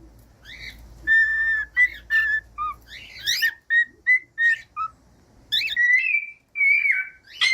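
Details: Cockatiel whistling song used to get a pet cockatiel singing: a string of short whistled notes at varied pitches with a few buzzy chirps, ending in a long wavering whistle and a rising note.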